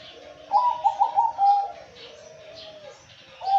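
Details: Male zebra dove in full song, a fast rolling series of bubbly trilled coos followed by a longer level coo tailing off, then a new phrase starting at the end; soft high chirps faintly in the background.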